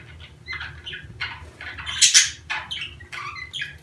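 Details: Budgerigar breeding-season sounds for stimulating mating; soft, scratchy warble of short chirps and squeaks with one louder burst near the middle, over a constant low hum.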